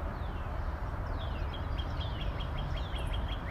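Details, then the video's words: Northern cardinal giving a quick run of about a dozen clear, downslurred whistles, fairly faint over a steady low rumble like distant traffic. "Northern Cardinal"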